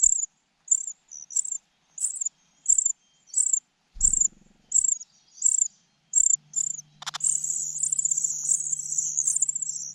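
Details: Cuckoo chick being fed by a foster parent. Repeated sharp, high hissing notes build into a continuous, rapid, buzzy begging stream near the end. A brief low thump occurs midway.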